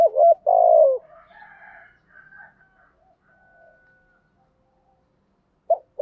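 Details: Morning calling of a spotted dove, 'gáy gọi' style: a clipped note and a rolling burred coo open the phrase, then faint distant bird calls and a thin whistle drift in before another coo starts at the end.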